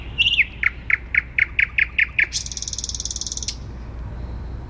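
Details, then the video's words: Thrush nightingale singing in central Warsaw on 12 May 2020: a run of sharp repeated clicking notes about four per second, then a dense rattling buzz that stops abruptly, over a low city hum. "Słowik Rdzawy śpiewa w centrum Warszawy"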